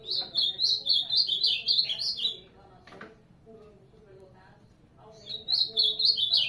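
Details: Ultramarine grosbeak (azulão) singing two bursts of fast, high whistled warbling notes, about four per second, separated by a roughly three-second pause with soft low murmurs and a click.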